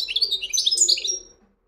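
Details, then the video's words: Fast, high, sparkling chatter of a European goldfinch in the wedani song style, a continuous run of twittering notes that fades out after just over a second. "مقنين ويداني"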